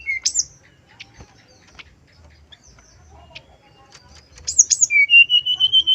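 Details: Male brown-chested jungle flycatcher lure song with a flute-like whistling style: a high whistled note dropping to a lower one, a quiet pause, then a sharp burst and a steady run of about eight clear whistles, each slightly rising.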